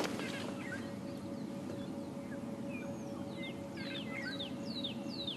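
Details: Fork-tailed drongos at Djuma Private Game Reserve, South Africa, at a still, overcast sunrise on 29 December with only a small dawn chorus: varied, high, metallic twanging notes and quick whistled sweeps over a steady low hum.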